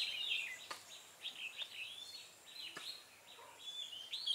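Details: Red-whiskered bulbul kept as a decoy bird for trapping, recorded on 25 October 2017: clear whistled and warbled phrases around the upper-middle register, short rising and falling notes in quick bursts, with a few sharp clicks and faint background hiss.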